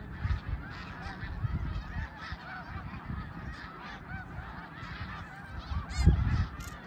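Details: At Middle Creek in 2022, snow geese give distinct high, nasal, barking honks in rapid succession over the hum of the wider flock, with bursts of low rumble and a loud close call near the end.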